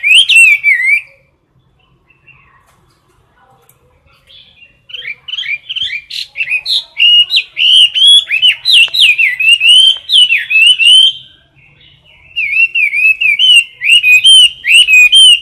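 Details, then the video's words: Close-up caged Chinese hwamei in loud competitive song: a short whistled burst, a pause, then long runs of fast, varied, ringing whistles and trills delivered nearly without break. "Mi mơ hót đấu cực "Đỉnh""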